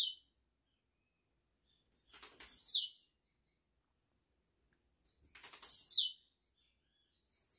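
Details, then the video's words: Blue-black grassquit, caged, recorded live for young birds to learn from, singing two short buzzy phrases: a few ticks then a high rasping note sweeping downward, repeated about every three seconds, with a faint note at the end. "TIZIU GRAVADO AO VIVO PRA ENCARTE DE FILHOTES, CANTORIA LINDA"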